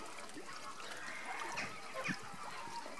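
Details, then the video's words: A marching group of Andean flamingos calling together: dense, overlapping nasal honks and gabbling notes, a few louder squawks near the middle and end, over constant background chatter. "Andean flamingos marching"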